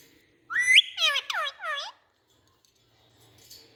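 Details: Indian ringneck parakeet calling: a rising whistled note followed by three loud, harsh, downward-curving squawks in quick succession, then quiet.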